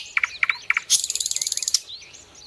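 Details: Common nightingale (Luscinia megarhynchos), song: played to tutor caged birds in singing.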